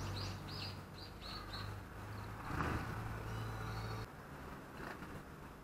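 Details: Daurian redstart appearing at a Japanese balcony on 19 January 2020: five thin, high, slightly rising whistled notes in quick succession, then quiet, over a steady low mechanical hum.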